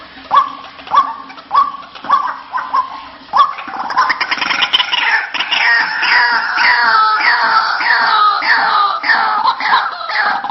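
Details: White-breasted waterhen lure call used to attract the birds: a string of short rising nasal notes about every half second, then a loud, dense chorus of overlapping harsh, croaking repeated calls.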